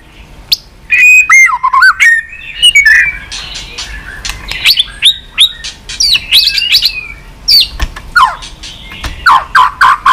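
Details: White-rumped shama song: rich, varied whistles, some dropping and rising in loops, mixed with sharp high chips, delivered in lively phrases over about ten seconds.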